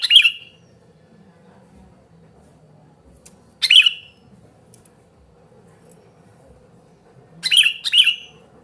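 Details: Sooty-headed bulbul calling noisily, a recording meant for luring and tutoring other bulbuls: short harsh chirped bursts, one near the start, another around four seconds, then a quick double burst near the end, over a quiet low hum.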